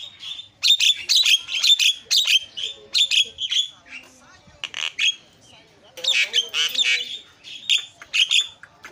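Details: A Javan myna lure call, played to make other mynas call: rapid runs of harsh, grating notes in two bursts, with scattered whistles and rasps between them.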